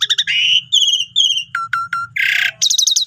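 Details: Jalak suren, the Asian pied starling, singing gacor as a master recording for starlings reluctant to sing: stacked whistles, drawn-out notes, sharp downward strokes and a harsh burst, with a faint low hum underneath.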